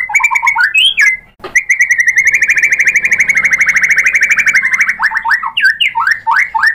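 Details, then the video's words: White-rumped shama in energetic song, played to provoke a rival bird to answer: a few varied whistled phrases, then a sustained fast trill of repeated notes, ending in quick downward-slurred whistles. "pancingan MURAI BATU GACOR FIGHTER ampuh untuk menaikkan emosi biar NYAUT BONGKAR ISIAN | SHAMA BIRD"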